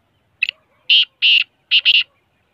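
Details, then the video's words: Large Sindhi black francolin calling: one brief rasping note, then loud, harsh, grating bursts, the last one doubled, with quiet surroundings between them. "Big size sindhi teetar ki awaz | bare size vala kala tetar"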